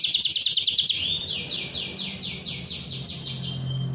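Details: Canary singing to call a rival and stir young canaries: a fast, even trill of about ten high notes in the first second, then a slower run of sweeping down-slurred whistles, roughly three per second.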